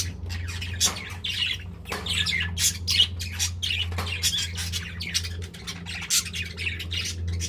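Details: Budgerigars kept as pets, eating side by side and affectionate, giving a stream of harsh squawky chirps and rasping warbles in uneven bursts, with a steady low mechanical hum behind them.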